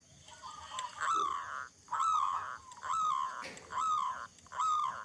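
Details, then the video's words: Local zebra dove with a big, loud voice, singing actively, used as a lure to get other zebra doves singing: five cooing phrases of clipped, stuttering notes ending in a rolling trill, repeating about once a second over a faint hiss. "Perkutut Lokal Gacor Suara Besar Cocok Untuk Pancingan Semua Jenis Burung Perkutut Agar Cepat Bunyi"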